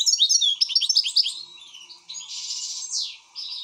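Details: Goldfinch in an excited state: quick run of bright chirps, then a harsh buzzy rattle and a falling whistled sweep; low hum audible.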